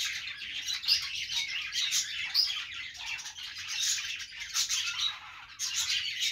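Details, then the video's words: Chattering budgies: a continuous high twitter of overlapping chirps and scratchy squawks, broken by a few sharp whistled tweets and short lulls. "budgies sounds"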